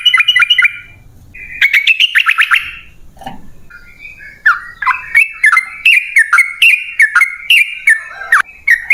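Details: Yellow-vented bulbul lure song for caged birds: opening fast trills, a pause with a low murmur, then clear chirpy whistled phrases rising and falling in quick succession.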